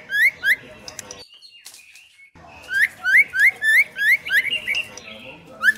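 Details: A female White-rumped shama gives quick, rising whistled notes, about three a second, in two bursts split by a brief pause, with a faint background hum underneath.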